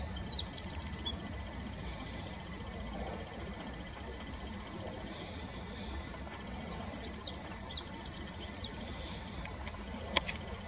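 Eurasian wren giving high, fast bursts of song: a brief rapid trill, then a longer run of sharp, varied notes. A faint steady insect-like hum continues underneath.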